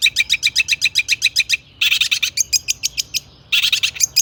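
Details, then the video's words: Long-tailed shrike in full song with imitated phrases, intended to trigger singing in other shrikes; a rapid rhythmic run of bright chirps, then grating buzzy notes and chattering, ending in more rasping bursts. "burung cendet gacor ISIAN AMPUH untuk PANCINGAN CENDET AGAR BUNYI"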